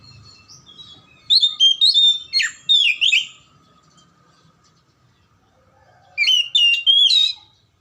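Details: Oriental magpie-robin, song used to stir lazy or silent birds into singing: a long varied sequence of loud whistled, slurred and warbling phrases, a pause, then a second fast burst of ringing notes.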